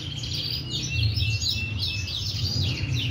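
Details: Canary singing a run of bright, high trills and fast down-slurred sweeps, phrases overlapping continuously with no pauses, over a steady low hum.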